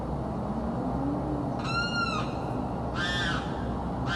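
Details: Screaming bird from South Florida, heard day and night: a clear, slightly falling whistled note followed by a rough, grating scream, with another starting at the end.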